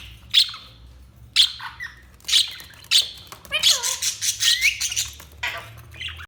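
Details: Budgies chirping: sharp, high chirps spaced about a second apart, then a quicker run of scratchy warbled chirps and squawks, ending with a few scattered notes; low faint hum in the background.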